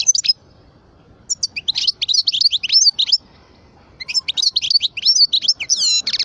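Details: Twelve-year-old European goldfinch of the parva form singing: two bursts of rapid, high twittering and buzzy trills, broken by a pause of about a second, with sweeping slurred notes at the end.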